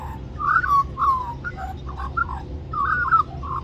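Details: Little magpie begging for mango, Cirillo Reserve, Middleton Grange, New South Wales, Australia; rich yodelling, slurred whistles and short chortles run almost continuously, a low hum underneath.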